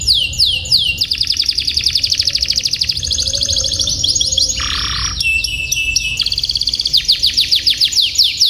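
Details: Belgian canary singing a long, loud, unbroken song of rapid rolling trills and sweeping whistled slides, switching tours every second or so, with one brief lower buzzy phrase; used as a master song to teach canaries long rolls.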